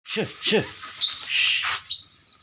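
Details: Oriental magpie-robin singing: two quick downward-swooping notes, then long, high, harsh buzzy phrases with a rasping, trilled texture, broken by a short pause.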